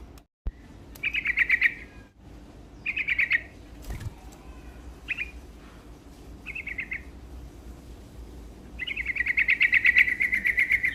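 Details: Yellow-vented bulbul singing hard to excite rival birds: a series of bubbly, rapid phrases of varying length separated by short gaps, ending in a long trilling run of evenly repeated notes. A soft thump occurs near the start.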